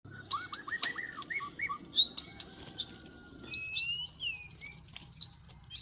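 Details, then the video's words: White-rumped shamas fighting during trapping in northwest Vietnam: quick descending whistled notes in a rapid series, then sharp high chips and drawn whistles, with wing flapping and a low rumbling background. "chim chòe lửa Tây Bắc đấu nhau"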